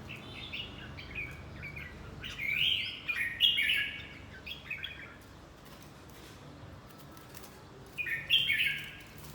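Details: Red-whiskered bulbul, fight training: quick successive warbled, chirpy phrases packed into the first five seconds, a lull, then one more bright warble near the end.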